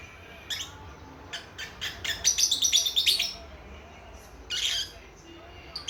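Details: Lovebird chicks only a few months old, chattering to each other: a quick run of rapid, bright, high chirps in the middle, then a longer scratchy call and a final short chirp.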